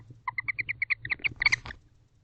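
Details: Wild bonded barn owl pair at a nest box at 11:48 pm on 19 October 2023, first seen mating on camera: a rapid series of about a dozen short, chirpy notes quickening toward the end, over a low steady hum.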